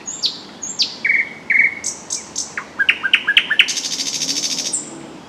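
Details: Thrush nightingale singing loudly while hidden in a shrub by a lake in spring (April–May): loud high whistles and sharp downslurred notes, then a rapid knocking series and a dense rattling buzz, all within five seconds.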